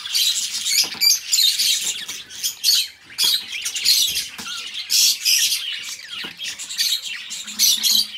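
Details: Pet budgies, two birds, giving loud, choppy bursts of squawking chatter separated by short gaps, high and raspy throughout.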